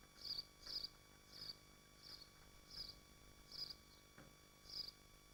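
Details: From a nest of swifts in Machynlleth, Dyfi Biosphere: seven sharp, high, shrill bursts repeated at roughly even intervals, with a faint electrical hum underneath.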